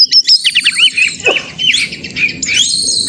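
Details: Caged white-rumped shama song for provoking rivals: rapid staccato chips, then long sustained high whistles and sliding notes blending into a steady ringing phrase, over faint low hum.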